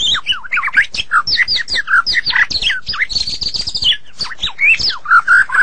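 A White-rumped shama sings a fast, unbroken stream of rich whistles, slurred rising and falling notes and harsh chattering squawks, changing phrase every fraction of a second.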